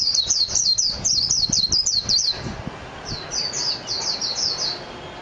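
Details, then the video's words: Mejiro, the Japanese white-eye, gives a fast, high-pitched warbling stream of slurred notes for about two seconds, pauses briefly, then adds a second, softer run of bright sweeping notes. "تغريد طائر ابيض العين الياباني ميجيرو"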